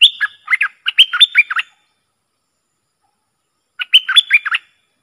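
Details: Streak-eared Bulbul, a worked-up bird described as driving off wild rivals, used for luring: two quick bursts of bright, bubbling chattered notes that leap up and down, separated by about two seconds of silence.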